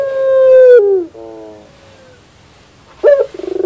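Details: In the morning, a puter dove gives a drawn-out, sustained coo that sinks in pitch, then a fading low purr. After a quiet gap, a new phrase begins with a sharp note and a pulsing coo.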